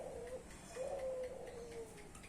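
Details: Spotted dove, young Klantan bird of champion lineage, uttering soft gliding coos: a short hoot, then a longer wavering coo sliding gently down, over a noisy background.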